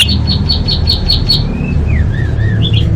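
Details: Orange-headed thrush master recording for big competitions and practice events: a quick series of identical short chirps, then soft slurred whistles rising and falling, over steady low background noise.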